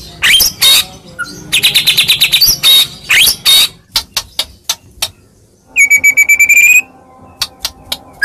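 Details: Medan-type white-rumped shama song used as a fighting lure to provoke replies: rapid chattering note bursts and sharp clicks, then a sustained steady high whistle with quick repeated pulses, and scattered ticks afterwards.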